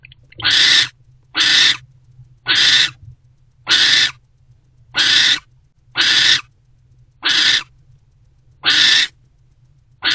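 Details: Barn owl mother and her older owlet bonding together in a nest box before dawn, 20 February 2024, around 4:41–4:46 am; loud harsh rasping hiss-screeches, each lasting about half a second, repeated roughly every 1.2 seconds over faint background hum.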